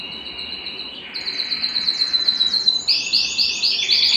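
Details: Canary in excited courtship song, eager to mate: a steady high whistle breaking into quick repeated trills and rising chirps, growing louder, over a low background hiss.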